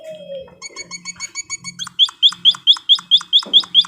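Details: White-headed munia training recording for cage birds: after soft scattered notes, a fast series of sharp, high, downslurred chips repeats evenly about four times a second over a low hum.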